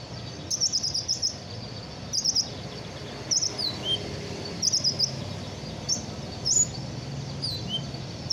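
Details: After its moult, a caged sunbird pours out quick high twitters and thin downslurred whistles in busy, closely spaced phrases, with low background noise underneath.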